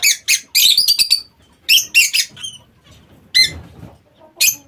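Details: Lovebirds in a home aviary, loud dense shrill chattering and screeching in quick bursts, with short squeaky notes between, then a few isolated harsh screeches; quiet rustling in the pauses.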